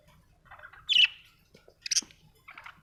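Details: Budgerigar giving a few sparse, squawky chirps, a short harsh note near the one-second mark and a brighter buzzy chirp a second later, with quiet gaps between.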